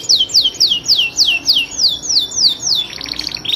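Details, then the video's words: Actively singing canary, tutor song for competition birds: clear high whistled notes, each sliding downward, repeated evenly about every third of a second, ending in a short buzzy rattle. "Kompilasi Masteran Kenari Gacor panjang full isian. Cocok untuk Kenari Juara"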